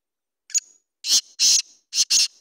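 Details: Black francolin (kala teetar) phrase: short sharp opening note, then four loud, hoarse, buzzy syllables paired two and two over about two seconds in silence.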